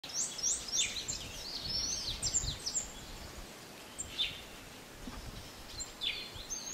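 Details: Yellow-browed citril (Crithagra frontalis) in Akagera National Park, Rwanda, in March 2013, giving high, thin twittering notes and quick rising chirps in loose bursts, with soft background hiss and a few other distant birds.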